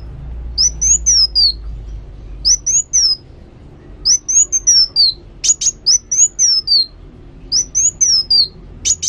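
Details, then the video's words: ['Sunbird known locally as kolibri wulung, singing actively: short high whistled phrases that slide up then fall, each of three or four notes, repeated about every one and a half seconds, with a few sharp high ticks near the end.'] "Kolibri Wulung Gacor"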